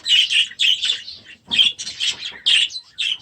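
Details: Young budgerigars in a new aviary early in the season: short, loud chirping bursts roughly every third of a second, scratchy and warbled, in small clusters with brief silent gaps.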